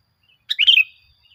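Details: Sooty-headed bulbul, a lure recording for making caged birds sing, gives a short bright warbled phrase of rich whistled notes lasting about half a second, then silence.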